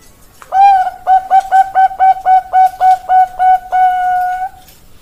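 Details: Bangkok-type zebra dove (perkutut) singing: a short opening coo, then a rapid run of about nine clipped, even mellow coos, roughly four per second, ending in a long drawn-out steady note; quiet background.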